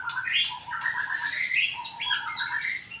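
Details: White-rumped shama of Sarawak, Borneo, singing kecor to provoke a fight with a rival: quick varied whistled phrases mixed with high thin notes, continuous and bright.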